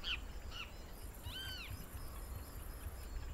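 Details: Whistling heron (maria-faceira) fishing in Brazil: two short sharp notes, then a drawn-out arched call that rises and falls, rich in overtones, over a steady low rumble of background noise.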